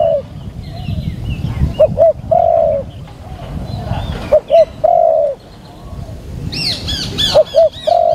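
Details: Decoy spotted dove cooing during a decoy session: repeated phrases of a brief double coo and a longer drawn-out note, while another bird adds rapid high chirps near the end.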